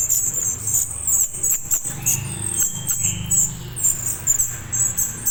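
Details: Juvenile orange-headed thrush, used to draw a response from adult birds: thin, very high squeaky notes in quick irregular bursts, with soft low rumbling underneath.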